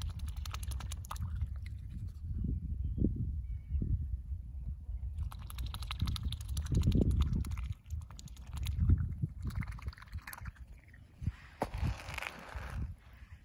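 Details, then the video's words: Territorial grunting from a mute swan cob while it feeds on seeds: a run of deep, throaty bursts through the first nine seconds, then softer scattered clicks and rustling. "Mute Swan (Cob) Feeding On Seeds, Territorial Grunt"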